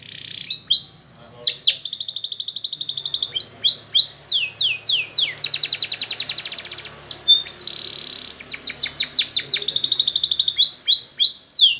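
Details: Canary singing as a training recording, with bright high trills in long rolling tours, sharp downward-sweeping notes between them, and a steady, fast buzzing trill in the middle, with faint low background rumble.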